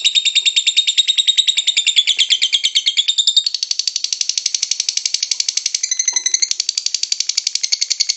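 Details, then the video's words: Lovebird song of the ngekek style, used to lure other lovebirds: a long, fast, rattling chatter of high harsh notes, rapidly pulsed and sustained for over eight seconds with slight pitch shifts midway. "LOVEBIRD SINGING"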